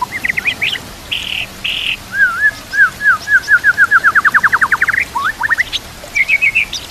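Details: White-rumped shama song intended for training other birds, with nature sounds and water: buzzy bursts, then a long accelerating series of wavering whistles rising in pitch, followed by quick upslurs and a short high trill.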